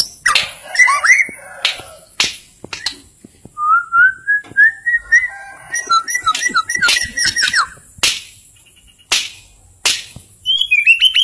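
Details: White-rumped shama, a Simeulue bird prized for its melodious voice, sings clear whistled phrases that rise and fall between low and high notes, with quick warbled runs and sharp clicks in between.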